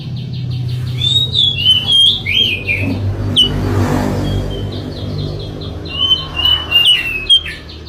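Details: Sooty-headed bulbul song used as a lure: short whistled notes and downslurred chirps in scattered bursts, over a steady low rumble like passing traffic and background noise.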